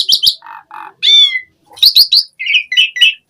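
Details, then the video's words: Asian pied starling, 'full isian' style: squeaky chips, two low nasal buzzes, a ringing harmonic note, then rapid bright chirps and a run of short warbled notes. "Suara Jalak Suren Gacor Full Isian"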